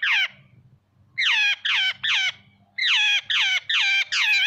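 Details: Jungle babbler voice: loud, rasping, downward-sweeping squawks, one alone then a burst of three and a faster run of four, with quiet low murmur beneath.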